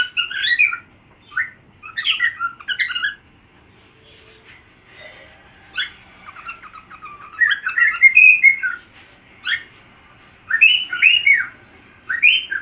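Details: Cockatiel learning a song from another cockatiel: scattered phrases of chirps and warbled whistles, with a long quiet stretch in the middle before chattering resumes.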